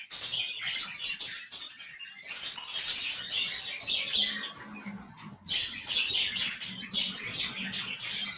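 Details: Budgerigar (parkit) chatter, recorded 11 December 2022: continuous squeaky, high twittering notes in overlapping bursts, with short pauses near two and five seconds and a faint low hum beneath.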